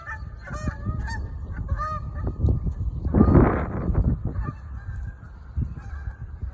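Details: Canada geese flying and honking loudly overhead in New Jersey: nasal two-note honks repeated irregularly, about one or two each second, over a low rumble of wind or traffic.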